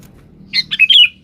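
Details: Sooty-headed bulbul calling a rival, played as a lure: a single quick phrase of three or four bright, slurred whistled notes rising and falling, against a low steady hum.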